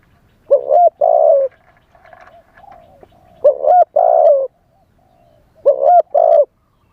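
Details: Spotted dove used as a live decoy, cooing in wild style to draw in wild doves; two-part phrases of low, hollow coos repeated about every two and a half seconds, with faint softer notes between phrases.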